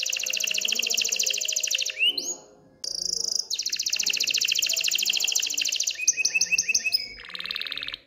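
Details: Excited canary song meant to prompt females toward mating and nest building: long rapid high trills interrupted by a rising sweep, then a series of quick downward-slurred notes and a lower rattling trill.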